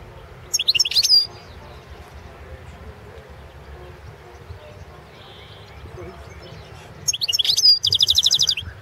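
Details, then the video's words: European goldfinch of the Balkan subspecies balcanica, recorded for an internet world championship in goldfinch song: two short bursts of high, tinkling twitters and liquid trills, separated by several seconds of quiet background hiss. "Pesma štiglića"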